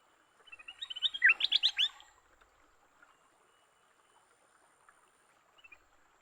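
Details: Leafbird fighting after capture, giving a single dense burst of rapid, rising chirps that swell and then stop abruptly, followed by near-silence and a faint note at the end.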